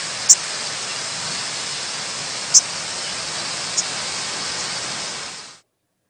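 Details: Common yellowthroat (Geothlypis trichas), a small warbler, nocturnal flight call during autumn migration: two very brief, high, thin sips about two seconds apart, then a fainter third, over steady hiss.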